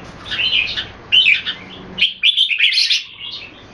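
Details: Singapore-style display of kept red-whiskered bulbuls: short warbled phrases, a pause, then a brighter burst of rapid chirping notes with high squeaks.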